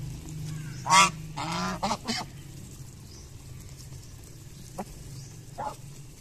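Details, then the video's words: Morning feeding geese: one loud, sharp nasal honk followed by a few shorter, softer honks, then quiet with faint low background hum and a couple of tiny clicks. "Geese Honking While Feeding"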